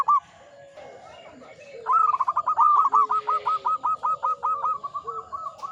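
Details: Zebra dove, a local Indonesian perkutut, in energetic manggung song: a brief opening coo, then a long run of about fifteen clipped, evenly spaced cooing notes. Fainter low coos sound in the background.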